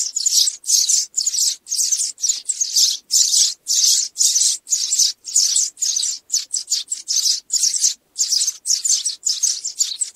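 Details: Sparrow calls to draw in a flock for trapping: a long, rapid series of high chirping bursts, nearly two per second, with some quicker clipped bursts in the middle.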